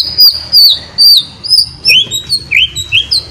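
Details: White-rumped shama singing ngeriwik, a lure to push shamas into continuous singing: loud, sweet whistled phrases spaced about half a second apart, shifting to lower, upslurred whistles toward the end.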